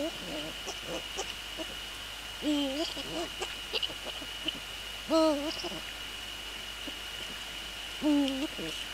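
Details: Male Eurasian eagle-owl on the nest, preparing it for nest inspection, evening of 29 January 2014. Short nasal harmonic calls that rise sharply then flatten and dip, repeated every few seconds, with soft clicks between and a steady high whine throughout.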